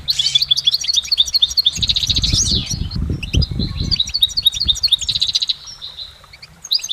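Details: Goldfinch song outdoors: tinkling, rapidly repeated chirps and rolling trills in long unbroken phrases, over soft low thumping noises in the middle.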